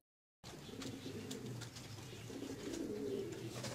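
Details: A Pomeranian Pouter pigeon ("Tiger") coos in low, throaty, rolling tones that swell and fade over a few seconds, with faint clicks and rustles in the background.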